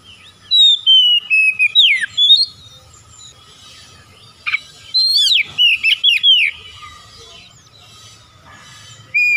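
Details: Melodious Oriental magpie-robin song. Two clusters of varied whistles and slurred falling notes are split by a quiet gap of about two seconds, and a final whistle comes at the end over a soft background hum.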